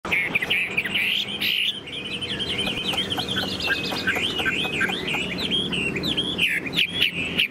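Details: Tame caged Chinese hwamei singing while its cage is carried: a long, rich run of loud whistled phrases, warbling up and down with quick slurred notes and sharp accents, and a faint murmur of room noise beneath.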